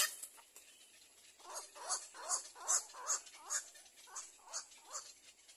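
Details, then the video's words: Little egret chicks give harsh, rasping begging calls, about two or three a second, in a steady rhythmic series with a hissy background, trying to bite their mother hard. "little egr baby birds try to bite their mother very hard"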